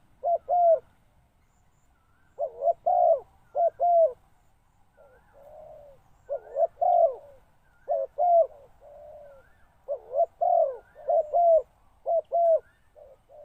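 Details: Repeated cooing from a decoy spotted dove luring wild birds. Quick clusters of deep, hollow notes run almost continuously, with fainter softer coos between them. No other sounds are heard.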